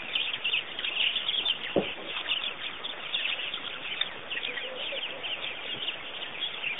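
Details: Busy birdlife at Pete's Pond, Botswana, Africa: many high chirps and twitters overlap densely across the whole recording, with one short low knock near the start.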